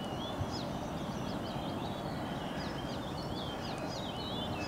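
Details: An Icterine Warbler sings at sunrise on 9 June 2023, pouring out a fast, varied run of high whistles, chirps and slurred notes without pause, over a steady low rumble of distant noise.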